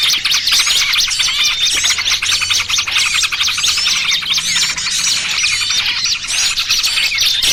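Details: Small birds calling in a trapping lure mix of trucukan ribut and burcil kejepit; a busy, ceaseless mass of high chattering chirps and twisting whistles, densely layered, with a soft low hum.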